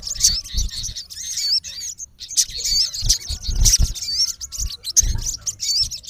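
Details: Sogon, the olive-backed sunbird, male, calling a rival: thin high chirps and wavering whistled slurs repeated irregularly, with soft low bumps in the background.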